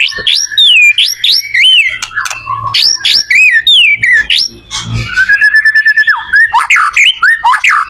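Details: White-rumped shama song played to help other shamas learn: loud looping whistles rising and falling in repeated phrases, then a rapid trill-like run of high notes and further swooping whistled figures.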